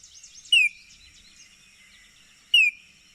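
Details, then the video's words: Two clear falling whistles from a Baltimore oriole, two seconds apart, each a brief bright slur dropping in pitch, over a soft background of faint twittering and a constant high tone. "Baltimore Oriole Call and Sounds"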